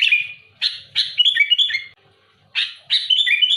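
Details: Loud, active sooty-headed bulbul pressing a rival: harsh rasping chirps lead into rippling, warbled whistled phrases, then a pause of about half a second before another burst of chirps and warbles.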